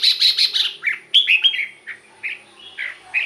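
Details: Red-whiskered bulbul song for exciting caged birds: a fast run of buzzy chirps followed by slurred whistles and scattered shorter notes, busy and continuous over three seconds.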